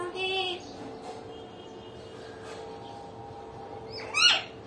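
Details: Pet common hill myna calling indoors: a loud harmonic squawk at the start, then quiet voice-like sounds over a steady hum, ending with a sharp rising shriek.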